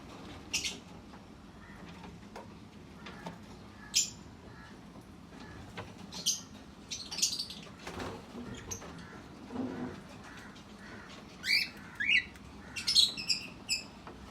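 A cockatiel gives short, scratchy chirps and squawks, clustered near the end between quieter rustles.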